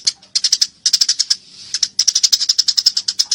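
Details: Eurasian tree sparrow during a fight, giving quick harsh chirps in tight runs, a short lull, then a steady sequence of about a dozen rapid notes, clear and close.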